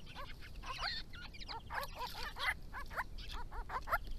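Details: Grey-crowned babblers of a family group resident on a Victorian property, visiting water in hot weather and calling to each other: a busy chorus of short, nasal, arched notes, rapidly repeated and overlapping, with a low background rumble.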